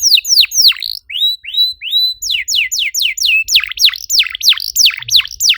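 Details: Canary song used as a lure to stimulate other canaries to sing: loud whistled downslurred notes in quick series, then repeated rising whistles, then sweeping swooping notes repeated about three times a second.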